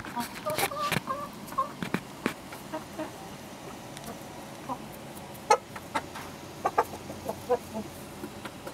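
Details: Several chickens recorded 07-06-2016 give loud clucks early on, then sparser sharp clucks and short tonal notes spaced irregularly, with faint knocks and rustling between calls.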